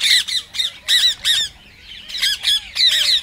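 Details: Rose-ringed parakeet calls played to stimulate other parrots to sing: loud harsh screeching squawks in bursts, each a rapid series of sharp notes, with short pauses between bursts.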